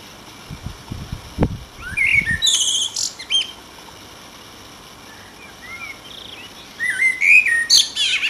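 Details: In Denmark on a July 16 evening, a common blackbird sings two phrases, each a low mellow warble ending in a squeaky high twitter, with trills and runs and a pause between; a few dull thuds come first.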